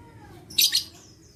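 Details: Lovebird, 11/4/21, sound used to lure lovebirds into singing: a single brief, piercing double screech, harsh and noisy, against a quiet low background.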